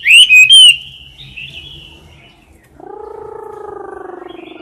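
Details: A caged Chinese hwamei, singing competitively near the cage bars, gives a brief loud whistled phrase that fades out; a low buzzing hum then takes over.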